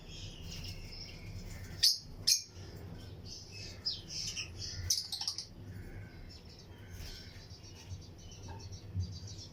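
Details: Chirping of lutino lovebirds kept in pairs in a colony aviary with other birds; two loud sharp chirps are followed by a cluster of quicker high twitters, then softer scattered calls over a low rumbling background.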